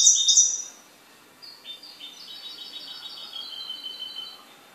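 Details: Goldfinch opening with a loud, rich, buzzy twitter, pausing briefly, then running into a long, rapid series of high tinkling notes that slowly fade.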